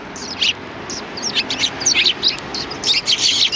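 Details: Flock of sparrows before a cultural hall, 7 February 2020, greeting with loud, clipped high chirps that grow busier toward the end.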